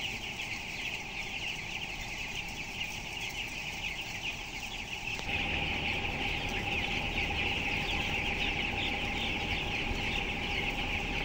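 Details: Twelve-day-old broiler chicks, weighing 423 grams, in a closed house of 7,000 birds. Their massed high peeping grows louder partway through as the ventilation drone and a steady tonal hum strengthen.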